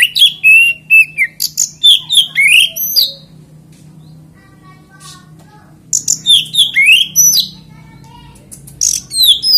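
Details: Kacer, or oriental magpie-robin, in lure song said to make other magpie-robins join in; bursts of quick whistled slurs and clicks, a quiet pause of about three seconds, then another rapid burst of varied notes.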